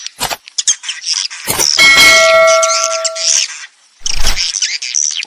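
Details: Swiftlet roosting lure sound played to attract swiftlets: dense, high twittering chirps in rapid bursts, with a ringing bell-like tone held for about a second and a half in the middle.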